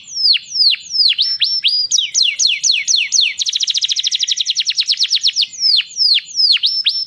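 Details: Canary song meant to stir females for mating: repeated descending whistled sweeps, then a fast, even trill of short notes, then a return to downslurred sweeping notes, with no other sounds.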